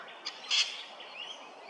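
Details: Double-barred Finch at Hervey Bay, Queensland, gives a brief high, harsh note, then faint thin upslurred calls over soft background hiss.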